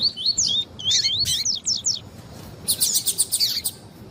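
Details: Double-collared seedeater song with a female's calls, played to excite another bird: a fast series of bright twisting whistled notes for two seconds, a short break, then a dense burst of sharp high chirps.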